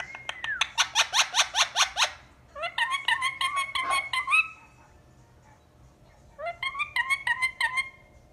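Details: Pet ring-necked parakeet uttering bursts of rapid, harsh, rasping squawks, about three per second, in three bouts separated by short pauses in a quiet room.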